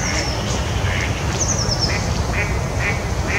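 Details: A young common moorhen (Gallinula chloropus) at Ørholm wetland gives short, soft calls about every half second, with a few thin squeaky notes above, over a steady low rumble.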